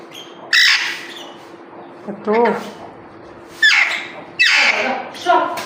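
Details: Pet parrot said to talk nonstop, producing harsh, voice-like squawky syllables in four loud bursts with gaps, one with a wavering tonal middle, indoors with a faint steady hum.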